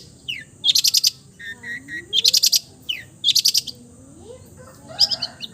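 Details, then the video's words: Long-tailed shrike, a cendet, performing imitations of other birds: loud rapid rattled bursts separated by short paired chirps and quick rising notes; faint low gliding whistles in the background. "MERDU SUARANYA, BISA MENIRUKAN SEGALA SUARA JENIS BURUNG | CENDET FULL MATERI"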